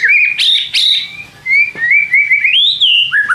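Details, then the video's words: White-rumped shama song used to provoke a reply from other shamas: clear fluting whistles, some sharp upslurs, and smooth gliding notes that rise and fall, ending on a lower whistled phrase. "pancing MURAI BATU malas bunyi/bahan paling GAMPANG direspon tanpa takut"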